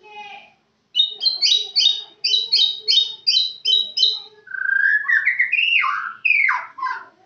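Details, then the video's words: White-rumped shama from Kenyir. Rapid series of ringing, trilled notes gives way to rich, slurred whistles that rise and fall in a flowing phrase. "Murai Batu Kenyir"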